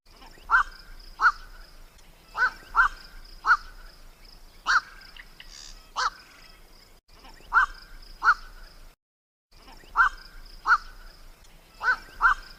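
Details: Lure call of the black-collared starling, played to attract birds for trapping: harsh, strident notes in pairs and singles, repeating through a long sequence with a brief silent gap, faint high hiss behind.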